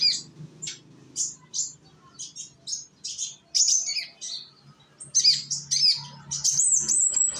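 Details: Indonesian sunbird (konin), young, singing as a lure for other birds: strings of short, very high chips that build into a rapid twittering phrase and a long, high, thin whistle at the end.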